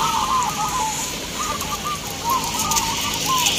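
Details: Caged zebra doves at a crowded village song competition in Boyolali, Central Java: overlapping warbled coo phrases rolling on without pause under a hiss of background noise.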